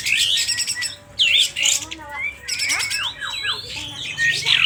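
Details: Sooty-headed bulbul from Aceh in an emotional state, tail fanned, singing loudly. Harsh buzzy chatter bursts are followed by a run of quick rising and falling whistled slurs.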